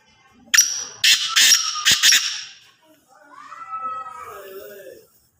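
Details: Kala tetar, or Black francolin, calls loudly: a short rasping note, then three rapid harsh, buzzy bursts lasting about two seconds. A softer, lower, wavering sound trails afterward.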